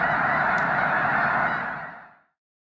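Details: Snow geese at Loess Bluff National Wildlife Refuge during March 2021 peak migration. Loud massed honking from a huge flock, then fading out to silence after about two seconds.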